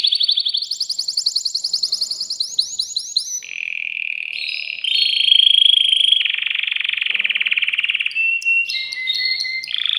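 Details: Male canary in a cage singing to stimulate a female to mate; opening run of rapid repeated notes, then long rolling trills and varied short whistled phrases.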